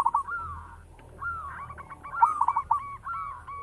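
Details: Local zebra dove, described as a keen singer with a big, rich voice, giving soft low coos and short rolling trilled phrases, the notes rising then dropping, with faint click-like bursts and a low background rumble.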